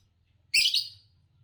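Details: Green Fischer's lovebird, a song-competition champion from Indonesia, gives a single harsh, buzzy chirp lasting about half a second, bright and high, over a faint low hum.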